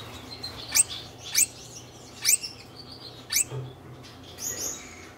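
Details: Courting red-headed Gouldian finches, a breeding pair in their third season together with a nest box; a run of five sharp, high, downward-sweeping chirps roughly every half to one second, then a softer higher note, over low hum.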